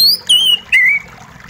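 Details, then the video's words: Oriental magpie-robin (kacer) singing clear whistles, from a therapy recording meant to restore a stressed bird that has gone quiet: three strong slurred notes, the first high, the next two lower and drawn out. "Terapi Kacer Macet Bunyi + gemericik Air!"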